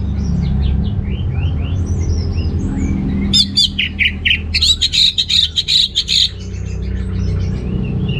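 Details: Orange-headed thrush singing energetically, used as a lure to stimulate males lacking breeding drive: faint scattered chirps, then a loud burst of rapid, sharp, high notes for about three seconds, fading back to soft chirps over low rumbling background noise.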